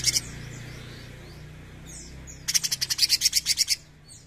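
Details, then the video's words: Cucak cungkok bulbul giving a brief harsh note, then after a pause a string of about twelve rapid, rasping pulses, with faint whistles of other birds behind. "CUCAK CUNGKOK GACOR NEMBAK GURIH!"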